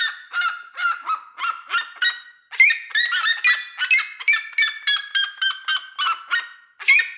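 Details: Red-legged seriema pair singing a duet on a house roof on a farm in Brazil; loud, harsh yelping notes repeated about once a second, rising and overlapping into a rapid clamour, with short pauses between bursts.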